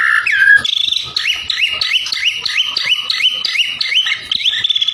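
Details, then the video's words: White-rumped shama provoking rivals with song: an opening whistle, then a rapid series of about a dozen rising, slurred whistled notes repeated roughly three times a second. "PANCINGAN SUARA MURAI BATU YANG BIKIN LAWAN EMOSI"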